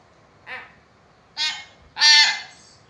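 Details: Three rasping, buzzy calls from a common hill myna get louder and longer in turn, the last the harshest. The calling is played to stir silent mynas into responding.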